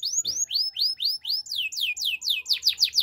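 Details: Canary singing, offered as training song: a rapid series of clear, bright, downward-slurred whistled notes, about four per second, speeding into a tighter, higher run toward the end, crisp and unaccompanied.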